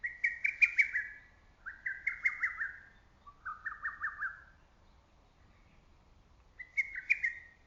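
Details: Lesser cuckoo in early summer woods calling four phrases in quick succession, each a hurried string of whistled notes. The phrases step lower in pitch through the sequence, then a higher phrase returns after a short pause.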